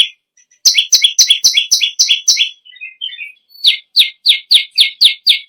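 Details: Vigorous song of a bar-winged prinia, a tutor bird for other songbirds: a fast row of buzzy double notes, a few soft warbling twitters, then sharper, clearer downslurred notes repeated evenly.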